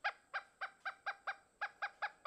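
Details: A Pileated Woodpecker, the largest local woodpecker and a very noisy one, calls in Tennessee woods with old trees: a loud series of about ten nasal, even 'kuk' notes, roughly four per second, in a steady run.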